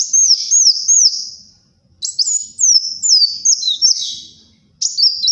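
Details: Loud kolibri wulung sunbird song for luring and tutoring: a fast chain of looping, wavering high whistles, a short pause, then a longer twisting run of descending notes.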